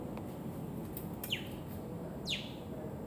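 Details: An osprey in Okinawa gives two sharp, whistled notes that slide steeply downward, about a second apart, over a steady low rumble of wind or distant traffic.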